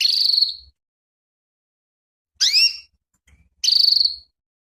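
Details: Calls of a female canary stimulating the male: a buzzy drawn-out note, a long silence, a sharp rising chirp, then another buzzy note.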